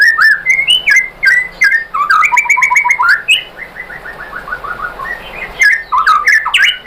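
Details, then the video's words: White-rumped shama song used to lure other shamas into singing: rich varied whistled phrases, including a descending run of evenly repeated notes, then more loud mixed whistles. "bikin MURAI BATU jadi NYAUT GACOR BONGKAR MATERI ¦ PANCINGAN MURAI ¦ SHAMA BIRD"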